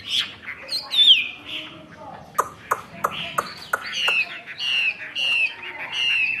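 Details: Chinese hwamei, a kept bird, singing: rapid sliding whistles and repeated descending trilled notes, interspersed with sharp clicks, over steady background noise.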